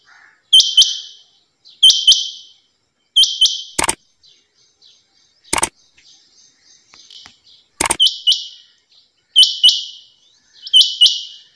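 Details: A female rain quail gives bright, high, paired notes again and again at roughly 1.3 second intervals, broken by several sharp loud clicks and a quieter stretch in the middle.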